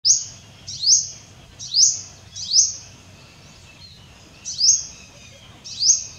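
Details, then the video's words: A purple sunbird, recorded 6 January 2024, gives short, high, sharp chirps, each with a brief rising sweep, repeated about once a second with a pause midway. "นกกินปลีดำม่วง Purple Sunbird"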